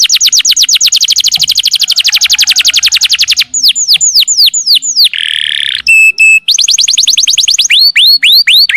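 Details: Canary singing long continuous phrases: a fast even trill of falling notes for over three seconds, then sweeping whistles, a harsh buzzy burst, a pure steady tone, and another rapid trill.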